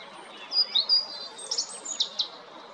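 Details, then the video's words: European robin singing at Jarun, Zagreb, Croatia, on 13 April 2022; a run of high, thin, sharply pitched notes and quick trills, varied and liquid, with faint background hiss. "Ptice Hrvatske - Crvendać (Erithacus rubecula) (Birds of Croatia - Robin)"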